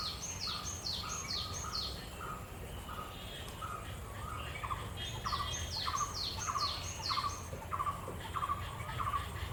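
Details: Two black-hooded oriole chicks alone in their nest at Purbasthali Bird Sanctuary, India, without parents present, give rapid, high, downslurred squeaky notes repeated in quick bursts, as if begging.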